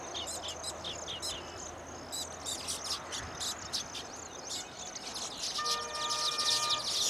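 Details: Male Baya weavers (Ploceus philippinus) singing and wing-fluttering on finished nests in courtship display to attract females: a busy, high chatter of squeaky chirps and wheezy notes in rapid bursts; a steady tonal hum joins near the end.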